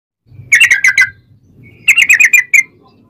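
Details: Sooty-headed bulbul singing as a lure to provoke other bulbuls into song: two short bursts of quick, bubbly whistled notes, the second burst after about a second's pause, with a faint low hum beneath.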